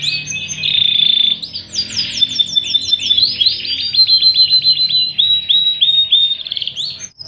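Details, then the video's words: Canary tutor song of a Panda canary for youngsters and reluctant singers; a buzzy opening, runs of rapid descending whistles, then a long series of evenly repeated clear notes. "Masteran Kenari Paud dan Pancingan Kenari Malas Bunyi || Kenari Panda Cengkok Super Mevvah"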